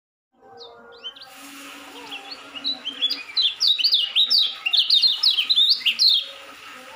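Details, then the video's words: Young white-eye just learning to sing: a rapid, high twittering run of short, sharp, downslurred chirps that starts sparse and thin, then grows louder and denser. The notes come about two per second, with a faint low hum underneath. "suara ngejos kecial baru belajar bunyi"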